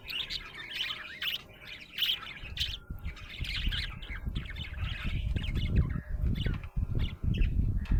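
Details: Happy budgerigar chirping: rapid, scratchy chirps and short warbled notes in quick irregular bursts, over a steady low rumble that swells in the second half.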